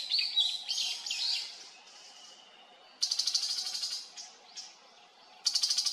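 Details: Tiger shrike recorded while birding in Haenam. High, scratchy, slurred notes in a choppy opening run give way to a faint thin tone, then rapid rasping, buzzy bursts of pulses, one in the middle and another at the end.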